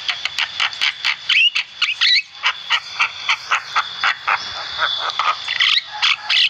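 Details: Lively Javan myna song used to train caged birds: a fast, even series of harsh, rasping notes, roughly three per second, with a brief pause midway and a steady thin high tone in the background.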